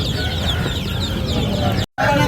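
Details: Ducklings in a group give a busy stream of high, slurred peeps over low background noise; the sound cuts out briefly just before the end.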